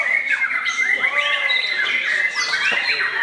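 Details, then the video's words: Young murai at a singing competition before the evening fast-breaking: a sustained level whistle threaded with harsh squawks and rapid warbles, against other singing birds. "ngabuburit bareng Murai Muda"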